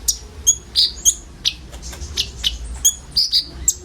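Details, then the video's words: A group of common ioras delivers an isian filler song meant as a lure for sunbirds. Thin high chirps and clear whistled notes come in uneven bursts, with brief pauses between them and steady low background hum. "SUARA BURUNG KONIN BUNYI ISIAN"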